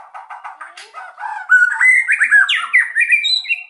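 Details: White-rumped shama in energetic song, used to provoke quiet birds into singing: a rapid run of varied notes, starting with low buzzy repeated phrases, then loud whistled and slurred notes climbing higher and growing stronger toward the end.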